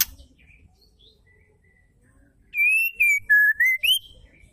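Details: Female white-rumped shama calling to prompt males to sing: after near silence, one pure whistled phrase of five connected notes that falls in pitch and then rises sharply at the close.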